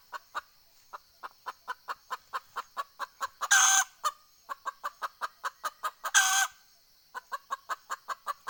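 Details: Decoy red junglefowl hen used to lure wild fowl, 20 April 2020: long trains of rapid, regular clucks broken twice by loud, harsh cackling squawks about two and a half seconds apart.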